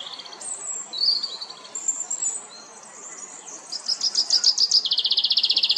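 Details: A chaffinch in La Perle du Lac, Geneva, Switzerland, starts singing after several seconds of thin, high whistles. Its song becomes an accelerating, evenly repeated trill of high notes that runs to the end.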